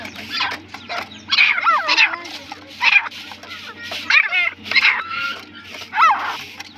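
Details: Loud, grating partridge calls in irregular bursts, some carrying a sliding, wavering note, with a persistent low hum in the background.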